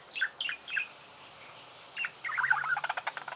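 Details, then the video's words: Budgerigar giving a few isolated chirps, a pause, then a rapid run of squeaky notes and clicking pulses. "Пение волнистого попугая"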